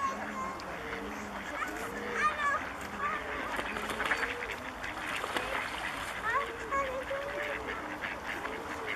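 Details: Bewick's swans at České Budějovice, Czech Republic, in February 2014; a flock gives many overlapping soft, yelping honks, some rising and falling, in a dense chorus with a few higher calls above.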